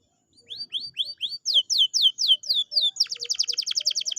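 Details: Canary singing to encourage a quiet bird to sing: a string of rising whistles, then louder falling sweeps, ending in a rapid pulsed trill.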